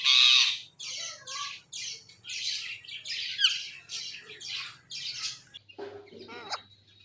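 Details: Pet parrot calling in a happy mood: a run of about eight short, rasping squawks, one roughly every 0.6 seconds and gradually fading, followed by a few softer, scratchy sounds.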